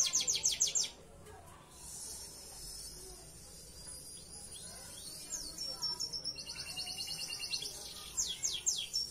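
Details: Belgian Bossu canary song, unique style used for tutoring canaries: a loud rapid trill opens, followed by a quieter stretch with a thin steady high tone, then soft trills and closing swept notes.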